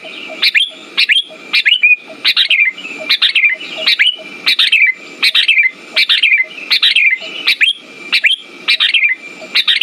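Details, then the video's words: Bulbul lure for coaxing silent sooty-headed bulbuls into song: a long, even run of about fourteen short sharp phrases, each a bright chirp dropping into a slurred note, with a continuous high hum beneath. "Pancingan burung kutilang macet"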